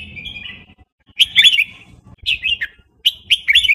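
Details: Burmese red-whiskered bulbul singing the fast wild-song style: three short, bright warbled phrases, each a quick rising-and-falling run of liquid notes, spaced about a second apart, with faint low background rumble.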